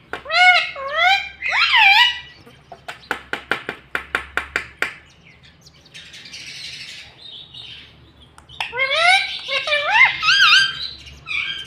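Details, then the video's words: Indoor pet talking parrot giving loud stacked, nasal speech-like squawks, then a quick series of about ten dry clicks, a soft breathy sound, and a final burst of wavering harmonic chatter. "BOLNE WALA TOTA 😁 Talking parrot"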